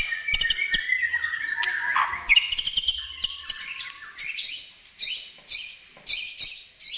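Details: White-rumped shama singing vigorously to coax other shamas into song: descending slurred whistles at first, then clear high whistled notes repeated about every second, each with a sharp attack.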